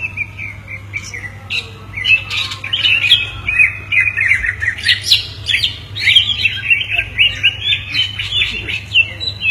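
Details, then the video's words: Greater green leafbirds, two of them, trading song phrases in a continuous rich warble of quick whistled notes, slurs and chirps, rising into dense rhythmic bursts; a low hum runs throughout. "dua burung cucak ijo berkicau bersahutan"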